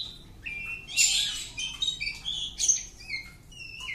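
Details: Home-kept oriental magpie-robin singing a lively sequence of clear whistles, rapid buzzy flourishes and downward slurs, ending with separate high piping notes.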